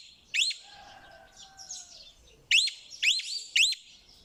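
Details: Parrot calling with sharp, hooked chirps that rise then dip, one alone then a quick run of three about half a second apart, over a faint low hum and softer background twitters.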